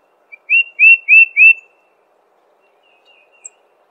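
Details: A tufted titmouse sings one quick run of four clear, slurred whistles, evenly spaced at a steady pitch, then stays silent with only faint distant chirps afterward.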